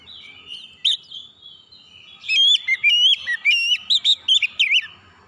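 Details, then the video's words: Calling cries of an oriental magpie-robin, meant to stir a silent bird into singing: a faint opening whistle, then a rapid series of short, loud, ringing whistles jumping up and down in pitch. "jeritan Kacer memanggil | Kacer macet bunyi langsung respon ikut gacor"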